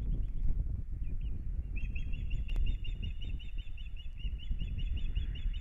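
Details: Kurzeme, Latvia, 9 April 2022: an Osprey pair at the start of the breeding season on their nest, a fast repeated series of thin high whistled chirps, almost continuous, beneath strong buffeting wind noise.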